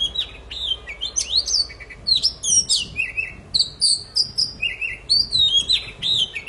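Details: Poci in full gacor song, played to get silent birds singing again: a continuous chain of piercing whistled notes, sweeping up and down, with quick trills and chirps, nearly free of background noise.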